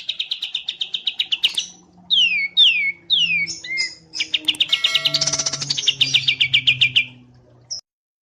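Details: Mastering recording of wambi mini and kapas tembak white-eye song: fast, clean, high trilled runs of repeated notes, broken by a few long downslurred whistles, then another rapid trill.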